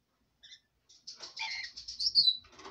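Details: Bedtime jabber from a female red lorikeet kept as a pet: after two soft chirps comes a continuous buzzy, gurgling stream of chatter, rising into a thin shrill squeal before trailing off in rough mutters.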